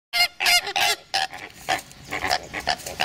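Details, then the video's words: Greater flamingos squabbling over the best nesting sites at the start of the breeding season, jabbing at each other with their bills without injury; loud nasal honks burst out in quick succession, followed by a busier run of overlapping, harsher calls. "Aggressive Rosaflamingos"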